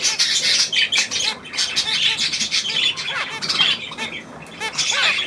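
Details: Budgerigars chattering together, a dense stream of high scratchy squawks and rapid warbled chirps with quick rising and falling notes, overlapping without pause.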